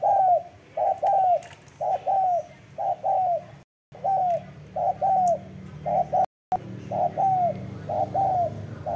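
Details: Spotted dove cooing steadily, a short low coo followed by a longer falling croon, the pair repeated about once a second for the whole stretch, with two brief silent breaks.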